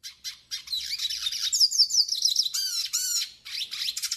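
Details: Pintassilgo do Nordeste, the Yellow-faced siskin, singing a training and warm-up song: a fast, dense high twittering warble of rapid chirps and rising-falling slurred whistles, nearly unbroken.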